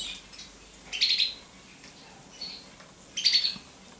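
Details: Common chaffinch uttering two short clusters of bright, slightly buzzy high notes about two seconds apart, with a fainter single tweet between them against a quiet background.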